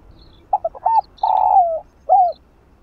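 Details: Spotted dove delivering a stimulating kích bổi coo for slow-cooing birds. Three stuttered notes and a rising hoot lead to a long buzzy coo that slides downward, then a short curved final note. Faint high bird chirps are also heard.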